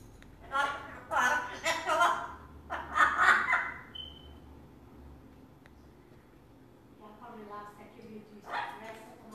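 An Amazon parrot chatters in speech-like bursts of mimicked words, with a brief pure whistle between phrases and a final short outburst.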